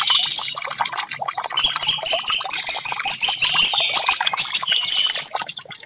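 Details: Orange-headed thrush song played as therapy to prompt silent caged birds to sing: dense, rapid, varied whistled and chattering phrases, mostly high-pitched, with sharp rising and falling notes packed closely together and few pauses.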